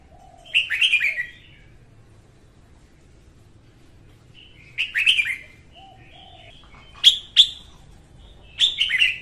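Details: Female red-whiskered bulbul singing in the morning, a recording used to spur other bulbuls to sing and to lure wild birds to traps; short warbled, chirpy phrases in four bursts separated by pauses, with a quiet background.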